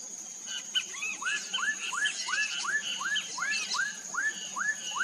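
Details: Black-capped donacobius repeating clear upslurred whistles, about a dozen in quick, even succession, each note sweeping upward, with softer higher notes overlapping and a continuous thin insect drone behind.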